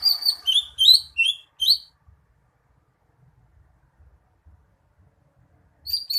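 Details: Greater green leafbird delivering a rapid run of high, slurred whistles for about two seconds, then near silence with faint ticks before a short burst of notes resumes.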